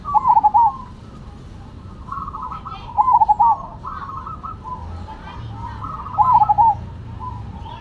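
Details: Zebra doves, a black Cemani and a Silver, singing actively against each other: staccato trilled cooing phrases near one pitch, each about half a second long, heard three times over a faint background hum.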